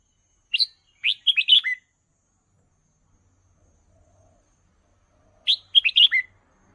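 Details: Red-whiskered bulbul kept as a cage bird, song used to train young birds: a single note, then a fast run of cheerful slurred whistles ending in a lower falling note, repeated after a pause.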